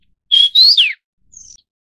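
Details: A Vinous-throated Parrotbill of the Taiwan subspecies Paradoxornis webbianus bulomachus gives three quick, high whistled notes: a level note, a rising one and a falling slur, then a faint, thin, higher note.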